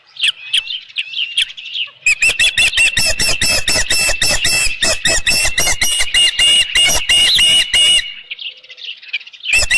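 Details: Headless fish at an osprey nest, 7:55 PM, 15 July 2018: a few softer whistles lead into a long, dense, urgent run of shrill chirps lasting about six seconds before fading.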